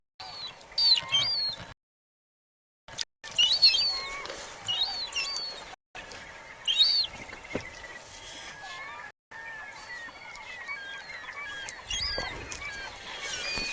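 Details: High-pitched whistling calls of a juvenile glaucous-winged gull at a Katmai river on 23 September, caught with a directional microphone: thin rising and falling whistles repeated in bursts, with brief gaps and faint background chatter.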